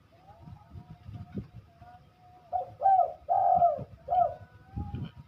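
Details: Spotted dove in full song delivers a single cooing phrase: a soft rising lead-in, a long throaty coo and a short final note, with faint earlier cooing before it and quiet room background.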